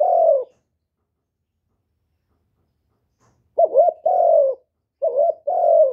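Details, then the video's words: Spotted dove cooing to stimulate newly caught doves to call, in gọi, thúc and gù styles, recorded close without background noise: one lone falling coo, a pause, then two-part phrases of a short wavering note and a longer, smooth, falling coo. "Chim Cu Gáy GỌI+THÚC+GÙ bài bản giúp bổi nhanh nổi, tiếng chim cu gáy việt hay"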